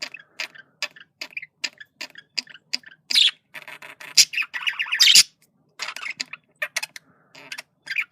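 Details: A male budgerigar making communication sounds. Clicky chirps are spaced under a second apart, then a denser run of buzzy, scratchy warbling and sharp squawks follows before the clicks return.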